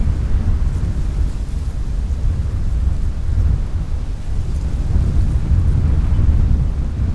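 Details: Continuous deep rumbling noise like heavy rain or thunder fills the whole recording, with no animal voices heard.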